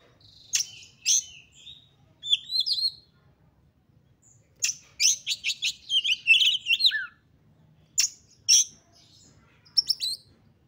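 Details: Oriental magpie-robin in an agitated singing mood, sung to push other magpie-robins to sing. Scattered high chips and short whistles lead into a dense rapid run of scratchy, jumbled notes ending in a falling whistle, then more spaced sharp chips.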